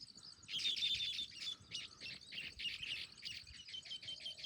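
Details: Baya weaver in Jim Corbett National Park, heard on a jungle safari: a dense, buzzy, high-pitched chattering of rapid wheezy notes running in bursts for several seconds, with short gaps between them.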